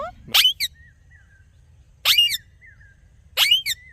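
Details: Talking parrot making its natural sounds: three short, harsh, rasping screeches spaced over about three seconds, each followed by a brief thin whistle, in a quiet setting with low background hum.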